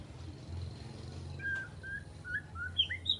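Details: Three-month-old juvenile white-rumped shama in spotted plumage, learning sharp tembakan notes, gives a few soft, separate whistles rising in pitch toward the end over a quiet low hum.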